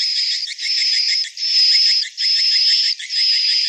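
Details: Swiftlets from an Indonesian swiftlet house setting: sustained high buzzy notes with a pulsing, grainy texture, four or five in a row, each nearly a second long with brief gaps.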